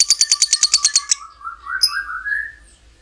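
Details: Lovebird ngekek trill, used to prompt other lovebirds to sing: about ten quick, sharp chirps in one second, then softer, lower, sliding whistled notes and a single high chip.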